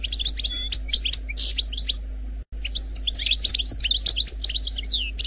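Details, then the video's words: Algerian goldfinch performing the wild 'khalwi' song without errors: lively tumbling chirps, buzzy notes and sharp twitters in two phrases separated by a short silent gap, light background hum. "لغة الحسون الجزائري الخلوي بدون اخطاء Chant Chardonneret Algerie"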